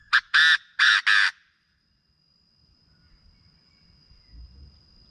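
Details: Chinese francolin call used to excite birds for decoy trapping: three loud, harsh, grating bursts in quick succession, then quiet with faint low rumble.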